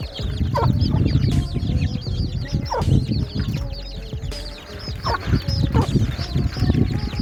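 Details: A crowd of baby chicks peeping constantly, with short, high, falling cheeps layered thickly above heavy low noise and faint music.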